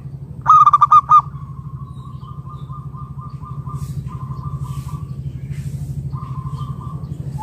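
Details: Local zebra dove, used as a lure to coax other doves into calling: a brief burst of rapid, pulsed cooing notes, then a long, steady, mid-pitched hum-like tone with short breaks, all over a constant low mechanical hum.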